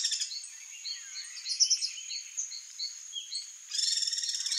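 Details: Alarm call of the Guira cuckoo, a gregarious bird: overlapping high chirps and short notes, curved sliding whistles early on, a steady high hiss throughout, then a burst of dense buzzy chatter near the end.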